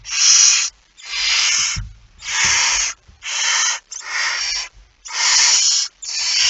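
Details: Loud, harsh hisses from a barn owl with a mouse at night on 17 September 2019. Seven broad rasping bursts follow each other at under a second apart, with some scuffling thuds between them.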